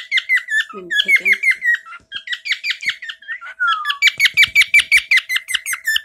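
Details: Male pet bird singing his often-repeated favourite chirp inside a small room: fast strings of bright, downward-slurred chirps, a longer falling whistle near the middle, and a faint human voice briefly in the background.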